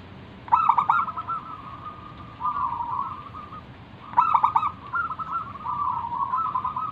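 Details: Local zebra dove in manggung song as a lure for other doves: two phrases, each opening with quick stuttered notes and rolling into a long, wavering trilled coo.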